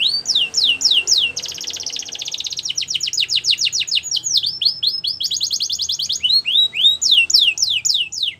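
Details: Canary singing continuously: rapid buzzy trills alternate with series of descending whistled notes repeated about three to four per second, high-pitched and loud throughout with no other sounds.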